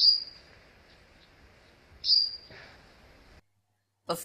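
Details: Grey-headed bulbul giving two sharp, high downslurred notes about two seconds apart, followed by a brief broadband click or knock near the end.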